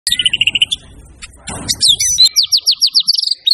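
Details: White-rumped shama, a champion singer in full voice, showing off its repertoire: a rapid series of high, even notes, then a quick jumble and a string of sweeping downward whistles, with faint low background rumble.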